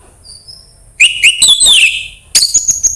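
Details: Orange-headed thrush singing, played to stimulate another bird: clear upslurred whistles leading into a tumbling, buzzy warble, then a second sharper high phrase, with faint low background rumble.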